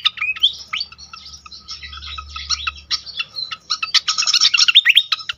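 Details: Pied fantail singing, recorded to lure other fantails into song: rising whistled notes, then spaced chirps, ending in a dense rapid burst of high squeaky notes over a faint low drone.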